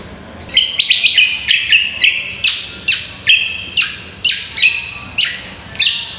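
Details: A cucak kombo sings hard for songbird contest training: a steady string of clear, descending whistled slurs, each starting high and dropping, repeated roughly every half second with sharp attacks.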